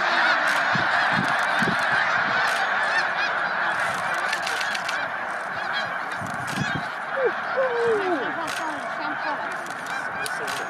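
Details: Snow geese massed during migration at Middle Creek Wildlife Management Area in March 2019; steady, loud honking from countless birds merges into a roaring chorus, with several distinct downward-sliding honks near the end.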